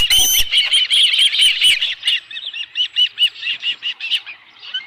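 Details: Osprey at its nest with a live fish on a July afternoon at a ranch webcam: rapid loud whistled chirps that slow into evenly spaced, fading squeaky notes, about two to three per second.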